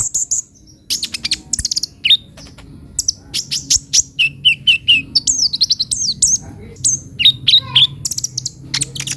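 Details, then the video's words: High sunbird twittering: sharp chips at about four per second, interspersed with downslurred whistles and a few lower, evenly repeated notes near the middle. "suara burung kolibri ninja"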